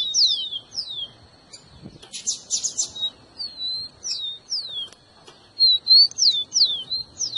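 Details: Rufous-collared sparrow singing clear, high, down-slurred whistles in quick succession, roughly twice a second, with a brief rustling burst partway through.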